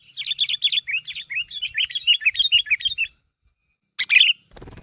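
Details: A vocal sooty-headed bulbul, used to lure others, calls so companions respond: a quick string of bright, downward-flicking chirps, a pause, one sharp burst, then a hissy noise.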